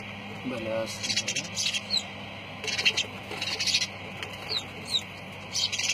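Lovebirds give shrill, harsh chattering bursts and sharp high chirps, coming in irregular clusters every second or two, with a brief low squeak near the start.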